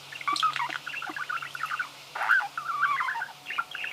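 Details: Budgerigar singing: a busy, chattering warble of short chirps and rapid clicks, with brief louder bursts and scratchy notes throughout.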